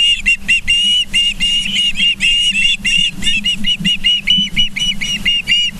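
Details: Ospreys at a nest in Charlo, Montana, on a live camera, 24 August 2023 at 09:29: a fast run of sharp whistled chirps, closely repeated and uneven in spacing, over a steady low hum.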